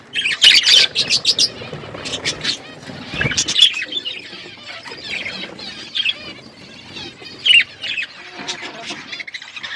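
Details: Budgerigars flocking in an outdoor aviary, bursts of loud sharp chirps and squawky chatter separated by quieter warbling, with a brief low thump of movement midway.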